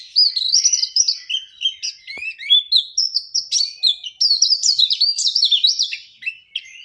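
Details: Energetic song of an Oriental white-eye: a continuous, rapid twittering of high, wavering whistled notes rising and falling for nearly seven seconds, with one brief click.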